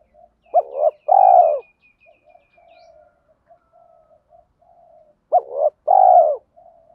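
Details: Spotted dove with a thổ pha đồng voice, cooing to lure wild doves: two phrases about four seconds apart, each a quick double note then a long, full, slightly falling coo, with soft murmuring notes between.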